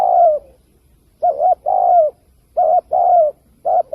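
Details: Spotted dove coo intended to lure wild birds into traps: a long falling coo, then two phrases of short doubled hoot plus extended, softly descending coo, spaced roughly a second apart, and a final clipped note.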